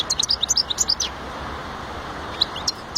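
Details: European goldfinch singing: about a second of quick, high twittering notes with brief buzzy slurs, then a pause before a few scattered chirps return near the end over a steady background hiss.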